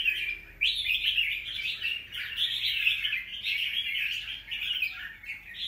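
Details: Wild-caught young red-whiskered bulbul, recorded 25 December 2023, starts abruptly into a sustained stream of jumbled warbling chirps that continues to the end.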